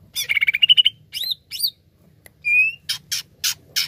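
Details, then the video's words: Greater green leafbird lure song to prompt other birds to sing: a fast stuttered trill, two looping slurred whistles, a clear rising whistle, then three rough broadband rasps. "PANCINGAN CUCAK IJO GACOR Greater Green Leafbird"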